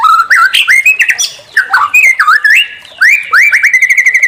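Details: Loud, varied white-rumped shama song meant to goad other shamas into singing: rich whistled phrases that rise, fall and slur, mixed with short chirps, ending in a fast even trill of repeated high notes.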